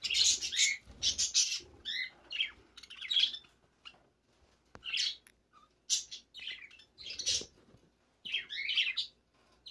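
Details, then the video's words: A baby budgerigar gives bursts of scratchy, high chirps and chattering squawks, in short clusters about every second with brief pauses between. "Baby Budgie"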